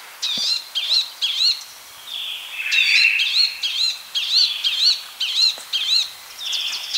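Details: Palestine sunbird delivering a lively, near-continuous run of high, sharply modulated twittering notes repeated roughly every half second, with a busier, slightly lower burst midway and little other sound.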